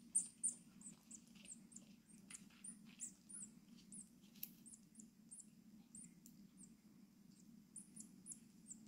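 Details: Six-day-old rescued tit chicks, orphaned when their mother stopped returning to the nest box, cheep very high, thin and short, several a second and overlapping, during feeding at a wild bird rescue centre in Germany in May, over a steady low hum.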